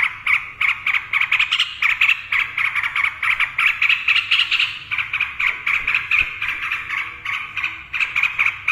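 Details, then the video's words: Trucukan (yellow-vented bulbul) in extended 'ropel' singing, a fast, continuous rattle of short grating notes several per second, wavering slightly in pitch, with a faint click near six seconds. "TRUCUKAN GACOR NARUNG ROPEL"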